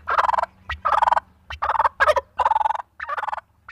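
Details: Turkey (Meleagris gallopavo), gobble.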